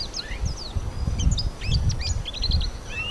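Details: Yellow white-eye feeding on an apple, giving contact calls to keep in touch: scattered high, quick chirps and short trilled notes over steady low background rumble and handling noise.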